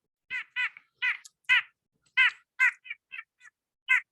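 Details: A nuthatch gives its call, heard all winter long at Ipswich, a quick series of about ten nasal, tooting notes, irregularly spaced and some doubled, over four seconds.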